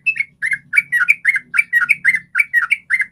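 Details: Yellow-vented bulbul in a rapid, continuous 'ropel' song style, used as a lure so other bulbuls sing: bubbly, chattering warbled phrases about twice per second, with a faint low hum underneath.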